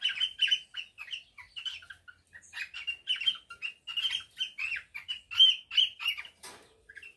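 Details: Captive male cockatiel courting his mate after the pair finished preparing their nest: fast, steady series of chattering warbled chirps, roughly two or three notes a second, with one sharp scratchy note near the end.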